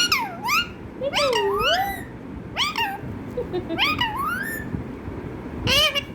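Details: Pet parrot at home imitating a cat's meow, giving four loud, drawn-out meow-like calls that swoop down then rise, each with rich harmonics, spaced about a second apart, against a faint room hum.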